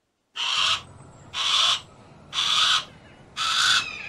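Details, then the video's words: Four grating, rasping screams from a Harris's hawk, each about half a second long and spaced evenly roughly one second apart, over quiet low background rumble. "Harris Hawk Noises"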